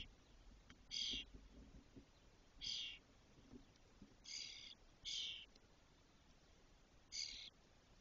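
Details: Spotless starling chicks in a cork oak nest, Doñana, Spain, 2023, fully feathered and about to leave: five rasping, hissing high bursts at uneven intervals, with soft low rustles from inside the nest.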